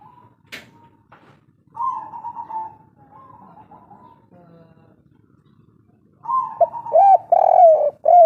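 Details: Kuk-3 style coo of a wild local spotted dove: soft hoarse notes at first, then a louder closing sequence of rapid rounded coos near the end.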